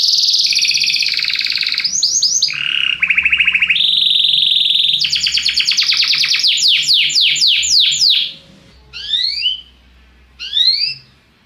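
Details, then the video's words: Belgian canary song meant to stimulate other birds: rich rolling tours, a fast staccato trill, a run of steep descending notes, then two short pauses broken by brief upward-slurred phrases. "CANTO DO CANARIO BELGA PRA ANIMAR SEUS PASSAROS"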